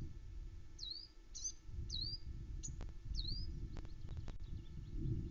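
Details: Sweet song of unseen wild songbirds near the Loch Arkaig osprey nest, around 9am, 21 May 2020, from a woodland nest camera: high notes swooping down then flattening, given singly or in quick pairs, with occasional sharp knocks and a steady low rumble.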